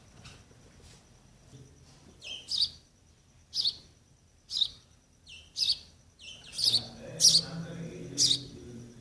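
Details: Sparrow chicks waiting for the parents to feed them make short high chirps about once a second, growing busier toward the end with soft low rustling beneath.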